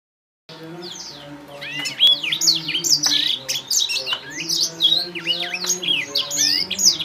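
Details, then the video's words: Young Blacktrout Somerini finches from a finch breeder in Klaten, with clear, original voices: dense, overlapping, high chirps and short downslurred notes, with a steady low hum underneath. "Anakan Blacktrout Somerini Suara Jernih Original"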